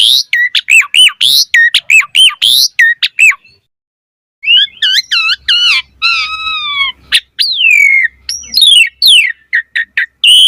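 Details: Asian pied starling singing richly varied material: dense bursts of hooked whistles, a short pause, then stacked harmonic squeals, rising slurs and chattering notes, with a faint low hum underneath.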